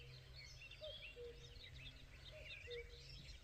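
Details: Two-note cu-coo calls of a common cuckoo, low and soft, given twice beneath busy, higher twittering songs of other small birds, with rumbling background noise.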